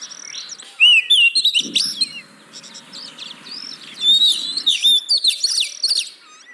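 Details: Singing oriental magpie-robin, a lure to make reluctant birds sing: two bursts of varied whistles and chatters with a quieter gap between them and faint background hiss.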